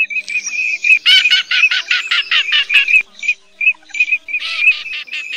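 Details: Male and female cotton pygmy geese calling, a lure recording for night net-trapping of migrating birds in August 2024: a fast, high, nasal cackling run of clipped notes, with short pauses and another burst of chatter at the end.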